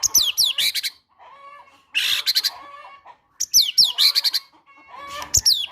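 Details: Caged fighter White-rumped shama, a lure for birds that stay silent, delivering gelatik batu material: repeated sets of high, sharp downslurred whistles and harsh rasping chatter, with softer notes between the bursts.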